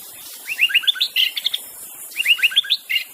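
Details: Wild white-rumped shama song, used to coax silent shamas into singing: two matching phrases of quick rising whistled notes, each ending in a louder slurred note, about a second apart, over quiet background.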